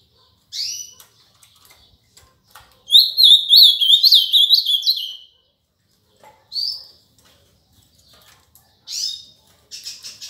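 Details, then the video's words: Ultramarine grosbeak singing in the song style called Paraná: short sharp chirps, then a rapid, warbled, sliding phrase lasting about two seconds, followed by a few more brief bright notes with silent gaps between. "AZULÃO CANTO PARANÁ"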